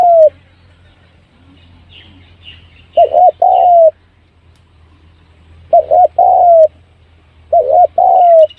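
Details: Spotted dove used as a lure to draw birds in quickly, giving three separate low, hoarse cooing phrases, each a short double note followed by a longer drawn-out coo, spaced a few seconds apart over a faint low hum.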